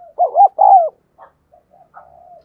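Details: Spotted dove decoy bird cooing to encourage others to call: two quick notes and a long falling coo, followed by a few faint scattered soft notes.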